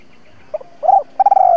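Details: Decoy spotted dove used for trapping wild doves: a faint short note, a hollow coo, then a rapidly pulsing rolling coo that slides slightly down, cut off at the end.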